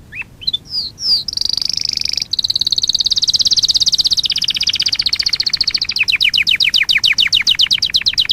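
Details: Canary singing, recorded for training: a few quick slurred notes open into long, fast, even trills, first high and steady, then dropping a little, ending in louder, slower repeated rising strokes.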